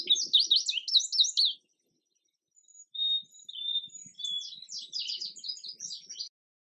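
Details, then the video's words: Two songs from an Indigo bunting: a fast burst of sharp, high notes, a pause, then thin level whistles leading into another string of quick downslurred paired notes, with faint low taps. "Indigo Bunting Song"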